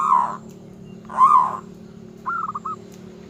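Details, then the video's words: Local zebra dove in full song, said to provoke rival birds: two soft arched coos followed by a quick stuttering run of short clipped notes, with a constant low mechanical hum behind. "Suara kutut lokal gacor yang bikin emosi lawan ahlinya menaikkan birahi lawan"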